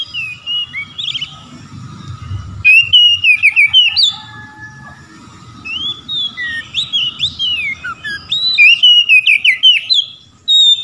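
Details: Oriental magpie-robin in ngeplong song calling a rival, answered by other magpie-robins: long stretches of loud, varied whistles, slurs and sharp chirps in rapid bursts, broken by a short pause; a low hum persists throughout.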